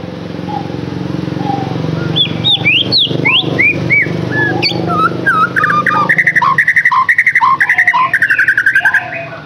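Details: Lure song for captive white-rumped shama: after a low background hum, sharp, sweeping whistles begin and then change into fast, rhythmic chattering notes repeated several times a second.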